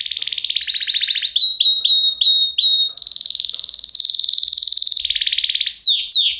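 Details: Canary delivering rapid rolling trills, a run of separate clear downslurred notes, then another long fast trill and a few sweeping chirps at the end.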